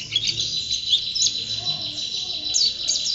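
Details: Pleci (white-eye) champion bird in constant song, thin high chirps and quick rising whistles repeated rapidly over a high hiss.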